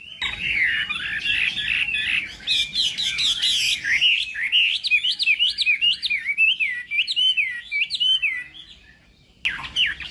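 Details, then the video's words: Chinese hwamei in contest-style fighting song during morning voice practice: rich, varied warbling with looping whistled phrases and quick trills, continuous for about nine seconds, pausing briefly before resuming at the end. "Hoạ Mi Hót Đấu /hoạ mi hót sáng luyện giọng"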